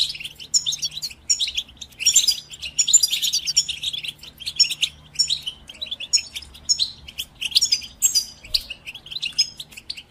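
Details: European goldfinch kept for listening, giving repeated bursts of fast metallic twittering and sharp chirps separated by short gaps, over a faint steady low hum.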